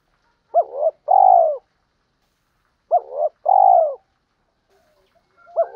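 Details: Spotted dove coo for luring and training birds, both sexes included: two clear phrases about two and a half seconds apart, each a short bent note and a fuller descending hoot, another beginning at the end.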